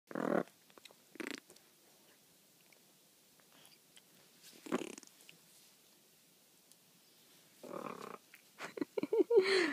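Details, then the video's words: Pet blue-and-yellow macaw making farting noises: short, sputtering raspberry bursts at uneven intervals, ending in a rapid run of blurts with brief nasal squeaks; a voice is heard briefly. "Macaw Making Farting Noises"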